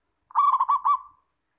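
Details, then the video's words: Local zebra dove singing as a tutor bird to encourage other doves to reply. A single clear, rapid, bubbling phrase of about five throaty pulsed coos ends in a short trailing tail, with a quiet background. "SUARA MASTERAN PERKUTUT LOKAL JERNIH"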